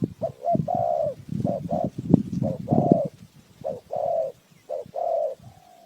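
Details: Lure-call coos of a spotted dove used for trapping birds: repeated short and long hollow coo notes, partly overlaid by low thumping and rustling knocks.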